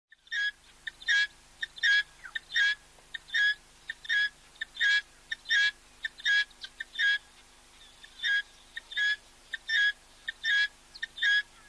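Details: Helmeted guineafowl calling close-up: a loud, harsh, rhythmic cackle of broadband bursts, more than one per second at a steady pace for about twelve seconds, with quiet gaps between them.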